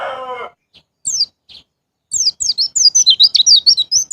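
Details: White-eye song in the 'ngalas ngeplong' style, used to prompt caged birds to sing: after a brief low harmonic sound, high, sharp, descending chirps come in a fast, excited run of twittering notes that speeds up toward the end.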